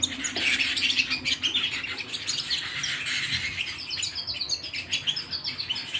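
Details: Canary at home delivering lively song: fast trills, then a run of repeated clear descending whistled notes near the end.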